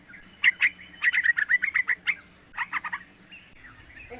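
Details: Young yellow-vented bulbul singing as a lure for other bulbuls: a chattering run of rapid, slightly buzzy notes, then a shorter burst of similar notes before fading.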